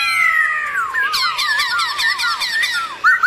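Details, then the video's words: Forest-style song of a black-throated laughingthrush, played to rouse other laughingthrushes: long falling whistled slurs lead into a quick wavering, yodel-like warble with a few higher sharp notes. "Khướu bạc má HÓT GIỌNG RỪNG KÍCH MÚA nhiều giọng cực hay kích khướu bạn căng lửa"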